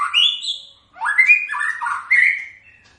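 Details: White-rumped shama singing loud, rich whistled phrases, slurred up and down, with a short pause before a varied warbled run and a final bright rising whistle.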